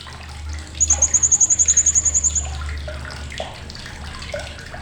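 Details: Sharp chatter of a blue-crowned hanging parrot: a single shrill, fast trill of about fifteen even pulses lasting under two seconds, with a low droning hum and faint splashing behind.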